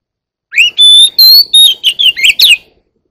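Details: One-year-old Oriental magpie-robin in song, giving a rapid run of bright whistled notes: an upslurred opener, then sustained high whistles and sliding phrases ending in quick descending chirps, all clean with no background noise.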